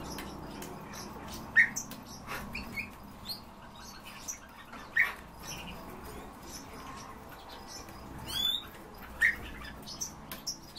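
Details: European bee-eaters, apparently kept birds, give a few short, liquid rolling calls, spaced several seconds apart, over a steady background hiss with scattered clicks and crackles.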